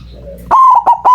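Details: Loud white zebra dove coo used as a lure for trapping doves, a sustained ringing note followed by two quick stuttered notes, cut off mid-phrase.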